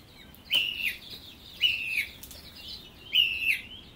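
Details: Song thrush in song, repeating one clear whistled phrase three times, each a sharp high note sliding slightly downward, spaced roughly a second and a half apart.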